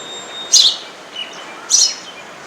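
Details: Sparrow chirping at a home: two short, bright high chirps about a second apart, each a quick downward-sliding note, over a faint steady background hum.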